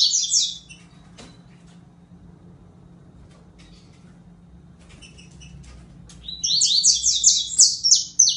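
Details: Saffron finch song: a brief burst of high notes opens the recording, then a long quiet stretch before a dense, rapid flurry of sharp descending notes near the end.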